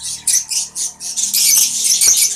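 Fischer's lovebirds chattering in a colony: harsh, high, shrieky squawks in rapid bursts, several birds overlapping into a near-continuous din.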